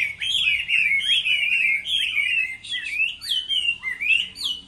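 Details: Chinese hwamei singing contest-style during the moult: fast strings of bright, looping whistles with quick slurs, followed by slower, separated upward-sweeping notes.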